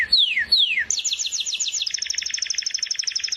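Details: Canary giving two loud down-slurred whistles, then a fast high trill that settles into a steady, even rolling chatter of paired notes.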